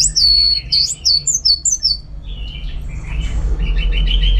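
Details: Kept orange-headed thrush (anis merah) singing at home, tied to bird-contest training: a quick series of sharp, high, downslurred whistles, then quieter buzzy warbling notes, with a constant low room hum.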